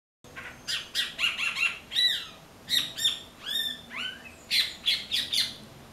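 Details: Blackbird that came looking for persimmons and, finding none ripe, ate passion fruit instead, singing: loud harsh squawky notes and rapid chattering bursts in quick clusters, some with falling slurred tails, separated by brief pauses.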